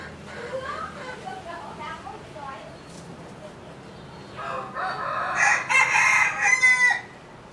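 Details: Chicken heard faintly at first with soft murmuring calls, then a loud, ragged crow rises in the second half with several strong harmonic bursts.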